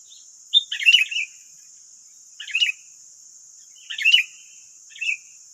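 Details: Wild sooty-headed bulbuls in West Lampung, Indonesia, nine birds against one decoy: short rich chattering phrases repeated roughly every one and a half seconds, some fuller, some clipped, with a thin continuous hiss throughout.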